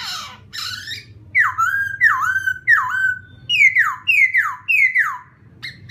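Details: Laughingthrush singing to provoke another bird: two harsh rasping notes, then six loud whistled phrases, first dipping and rising, then steeply falling, each about half a second apart.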